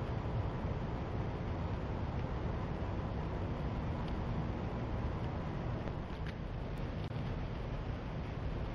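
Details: Low, dense rumbling noise like wind or a distant engine runs throughout, with only a few faint ticks.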